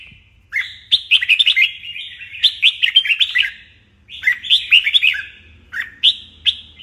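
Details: Fierce morning contest song from a red-whiskered bulbul in training: loud, clear, warbled whistle phrases of several rapid notes, three main bursts separated by short gaps.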